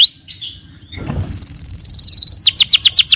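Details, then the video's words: Canary song played to make another canary answer: a short whistle and pause, then a rapid buzzing high trill that dips slowly in pitch, followed by quick falling repeated notes. "PANCINGAN SUARA BURUNG KENARI GACOR LANGSUNG NYAUT!!"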